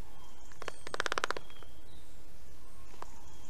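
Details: Black stork at its nest in Estonia, 9:12 am on 19 July 2021, as an adult arrives with fish: a short burst of rapid, rasping pulses, about ten in quick succession, then a single later note, over steady rural background noise and distant bird chirps.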